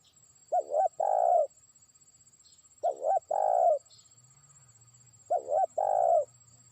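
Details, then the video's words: Trained spotted dove calling a faraway rival, three evenly spaced phrases roughly two and a half seconds apart, each a quick double hoot followed by a longer trembling coo, with a low hum appearing midway. "pikat terkukur) burung ajaran sudah mulai manggil lawan jauh"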